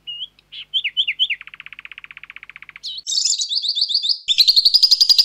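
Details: Lovebird training sound, the long ngekek trill: scattered high chirps lead into a low, buzzy pulsed run, followed by a harsh, shrill chattering trill that grows louder toward the end.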